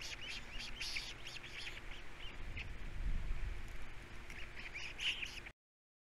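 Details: Three osprey chicks calling at feeding time at a Captiva nest, a fast run of short chirps and whistled notes, pausing briefly midway, then resuming before ending abruptly.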